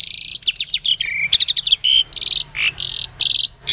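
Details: Captive-bred Asian pied starling from Klaten, Indonesia, used as a lure song for silent starlings: dense run of harsh buzzy bursts, rattling notes and squeaky whistles, nearly continuous over four seconds.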